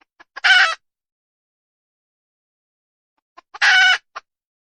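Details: Female wild junglefowl giving two loud, rasping, drawn-out squawks about three seconds apart, each flanked by a few faint short clucks, in otherwise quiet surroundings.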